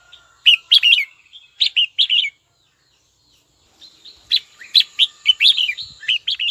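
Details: Red-whiskered bulbul singing to call a rival: bursts of bright, warbled whistled notes in quick clusters, a pause of nearly two seconds, then a longer run of chirpy, rising and falling phrases. Faint background chirps from other birds.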